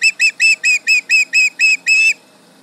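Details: An osprey at the Charlo nest, calling at a nearby tractor late morning on 31 July 2019, gives nine piercing whistled yelps in steady rhythm, the last one drawn out longer.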